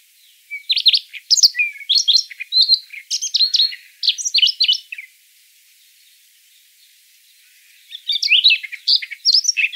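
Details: Siberian rubythroat song meant to lure birds for trapping: a lively rush of twittering, shifting whistles for about four seconds, a few quiet seconds, then a second fast phrase.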